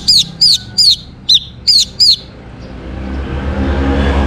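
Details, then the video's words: Song of an orange-headed thrush, played to coax other birds into singing: six bright, arched whistled notes in quick succession, about three a second, then a soft background hiss. "KICAUAN ANIS MERAH UNTUK PANCINGAN AGAR BURUNG IKUT BERKICAU NGEPLONG GACOR"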